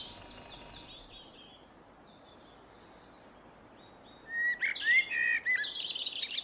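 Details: Common blackbird singing outdoors: after a quiet stretch, a short fluty warble near the end with high squeaky twitters, while other birds give thin, high repeated notes in the first second.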